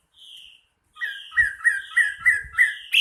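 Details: Chinese hwamei, a national champion singer, gives a short whistle followed by a quick series of repeated clear chirps at a steady pace, with faint low knocks underneath.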